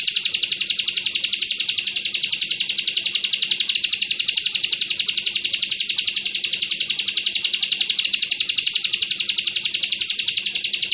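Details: Bar-winged prinia (ciblek kristal) in full bren rapat ak 47 mode, a training model for oriental white-eyes: an unbroken string of shrill, buzzy chips, close to four per second, steady in pitch and loudness.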